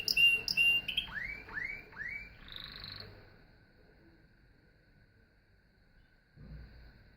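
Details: Canary song opening with quick high pips, three rising swooped whistles in a row and a short buzzy roll, followed by several seconds of near silence and a faint low rumble.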